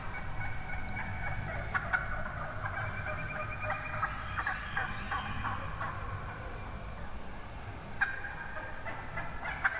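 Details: Wild turkey hens calling within a large morning flock, recorded from among the birds: dense overlapping clucks and raspy yelps from several hens, in bursts and short runs with brief pauses between.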